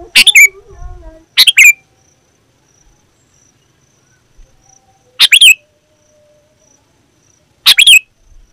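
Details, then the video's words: Sooty-headed bulbul calling rivals, a lure call for wild forest birds; four bright, descending chirpy phrases, two close together, then long quiet gaps before two more, with a clean background. "Suara Burung Kutilang Gacor Memanggil Lawan"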